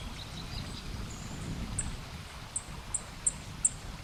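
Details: A singing Black-faced Bunting gives five thin, very high, sharp notes about every third of a second over a steady low rumble of background noise.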